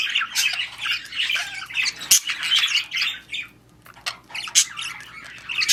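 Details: Budgies, also called parakeets, chattering while mating and breeding: a continuous rasping warble mixed with sharp clicks and squeaky notes, with a brief lull near the middle before the chatter resumes.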